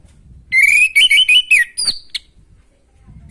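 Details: Orange-headed thrush song aimed at rousing a bird short of breeding drive: a rising whistle and quick wavering notes, then a higher thin whistle and a brief sharp note.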